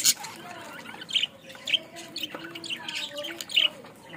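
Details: Budgerigar kept in Bangladesh chattering steadily: high, bright chirps and squeaky warbles, with sharper peaks about every half second to second and soft murmuring between them.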